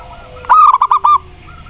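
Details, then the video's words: Zebra dove of the Mataram perkutut type, singing a song used to prompt other doves to sing: a burst of five quick, hoarse cooing notes packed into under a second, over a faint steady background hum. "SUARA PERKUTUT MATARAM COCOK UNTUK PANCINGAN"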